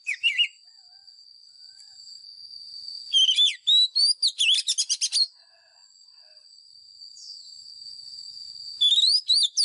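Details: White-rumped shama lure bird singing its fighting song for training caged birds: brief whistles, then a dense two-second run of varied slurred whistles and chips, a pause, and another burst, over a steady high whine.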